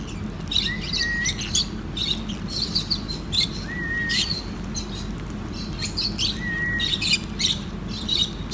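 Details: Lovebirds at feeding time on soft food, giving sharp high chirps in repeated bursts, with three short rising whistled notes spaced through the sequence and a constant low background hum.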